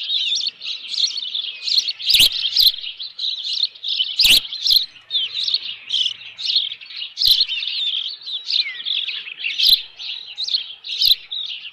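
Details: Osprey at a Dunrovin Ranch nest, 25 May 2018, agitated by an intruder: steady stream of high, slightly harsh chirping whistles, with a few sharp knocks in between.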